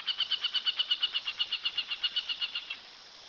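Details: Aplomado falcon giving a rapid, even series of about twenty sharp, high, harmonic 'kek' notes, nearly three per second, for close to three seconds before stopping; faint background hiss.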